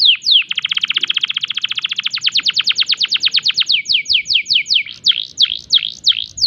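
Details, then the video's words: Singing canary in breeding condition delivers a long fast rattle of repeated notes that gradually slows into distinct downward sweeps, finishing with sharp V-shaped chirps. "tembakan unik kenari gacor birahi"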